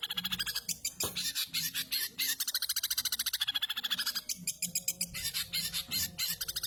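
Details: Long-tailed shrike, a lively singing bird mimicking a house sparrow: loud, fast, buzzy chirps repeated almost three times a second in long runs, broken by a few harsh notes, with low background rumble.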